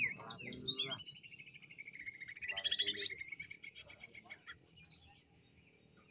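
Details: Cucak ijo, the greater green leafbird, of Banyuwangi singing ngentrok jamtrok lure song: a long, slightly rising rattling trill runs several seconds, broken by sharp high squeaks, with faint background hum.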